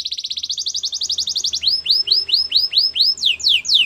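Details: White canary singing: a very fast high rattling trill that gives way to loud, evenly spaced down-slurred whistles, about three per second.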